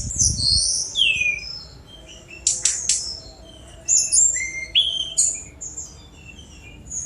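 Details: High-pitched song of a Sunda robin in the fast 'speed' style, with thin whistled notes, clicking ticks and short falling slurs spaced by brief pauses, a low thump at the start.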